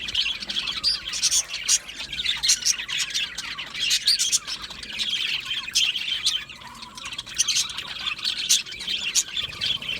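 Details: Budgies in an aviary colony produce a constant twittering chorus of short chirps and harsher squawks, dipping quieter for a moment past six seconds.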